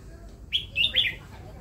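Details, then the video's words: One short, loud song phrase from a caged red-whiskered bulbul: three rapid liquid notes, each dipping and rising, run together in under a second against a steady low hum. "นกกรงหัวจุก เลี้ยงไว้ฟังเสียง"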